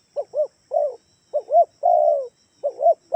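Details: Spotted dove lure call, Kalimantan type, meant to draw replies from other doves: repeated phrases of a double hollow coo and a drawn-out descending coo, clear and close in a quiet setting.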